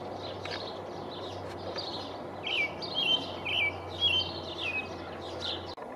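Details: Territorial male American robin singing at the top of a pine tree, 5/6/19: faint notes at first, then a run of loud, liquid whistled caroling phrases in the middle, a low hum throughout until it cuts off.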